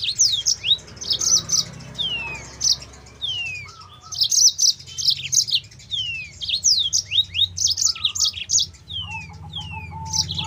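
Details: Yellow-fronted canary song as a training lure: repeated bursts of bright, high chirps alternating with slurred descending whistles, short lower warbles in between, and a low rumbling background.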